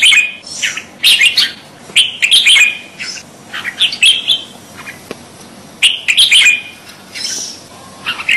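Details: Kutilang jambul, a crested bulbul, delivering bursts of sweet high whistled notes and chirps in quick clusters, with pauses between groups.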